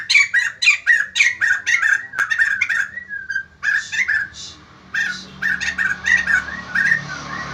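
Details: White-crested laughingthrush in vigorous song, prompting other birds to answer: quick harsh notes repeat in a steady rhythm, then softer gurgling phrases follow over a low background rumble.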